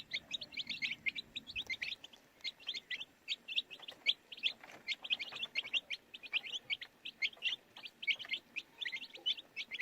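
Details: Crowd of baby chicks giving steady high peeps, short chirps in quick irregular succession throughout, with low rustling and handling noise near the start.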